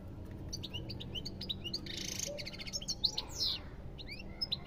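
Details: European goldfinch in full song: a fast, lively twitter of high chirps, trills and short buzzy notes tumbling one after another without pause.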